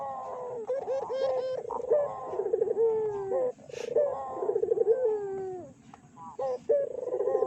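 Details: Barbary dove cooing as a lure to provoke other doves: overlapping trilled coos with long falling notes, possibly more than one bird, plus a brief hiss and a few sharp clicks.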